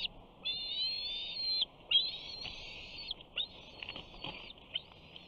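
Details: Male bald eagle eaglet, 68 days old, on its nest at Big Bear on 21 June 2019, vocalizing as a parent flies in with a fish: long, high, whining squeals, some drawn out over a second, broken by short sharp notes.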